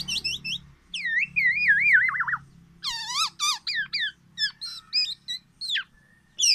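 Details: Tame black-naped oriole singing its loud, distinctive song: looping and wavering whistles, a burst of stacked falling notes, then quick high chips repeated about four per second over a low hum.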